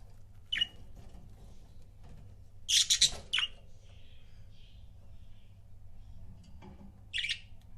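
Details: Pet budgerigar couples indoors: a sharp chirp, then a loud cluster of buzzy, scratchy chirps, a faint warble, and a final harsh chirp after a pause, over steady low room hum.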